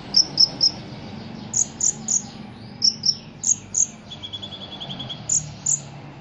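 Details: Ruby-cheeked sunbird kept for Indonesian song contests, in full eager song with cricket imitations: clusters of piercing high tweets in twos and threes, then a short lower buzzing cricket-like trill near the end.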